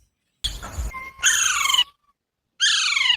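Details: Rose-ringed parakeets, pet birds in the early morning, give two harsh, raspy, downward-sliding squawks with a brief thin whistle between them, after a short burst of scuffling; the owner asks them right afterwards why they are fighting.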